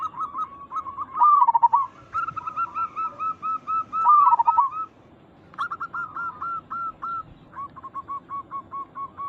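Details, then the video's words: Zebra doves of local stock used as a lure to make others answer: two loud rolling, bubbling coo phrases among steady lower-volume chains of short repeated coo notes, a brief pause, then further clipped coos. "Perkutut lokal gacor Suara ini membuat Burung Perkutut langsung Nyaut cepat respon"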